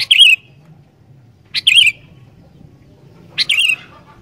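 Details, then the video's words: Sooty-headed bulbul in spirited song for prompting wild bulbuls: three short, sharply struck whistled phrases that dip downward, spaced about one and a half seconds apart. "Burung Kutilang Gacor Dooor, Cepat Bikin Kutilang Liar Langsung GACOR"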